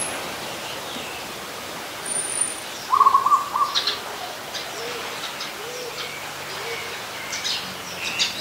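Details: Adult zebra dove recorded in Ubon Ratchathani, Thailand, 24 December 2020, uttering a single brief rattle of staccato coo notes lasting under a second, while other birds chirp and whistle higher and more faintly around it.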